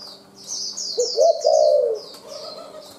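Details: Forest spotted dove calling rapidly: one clipped coo, then a drawn-out hoarse coo that swells and fades within a second. Small birds twitter steadily in high thin notes throughout.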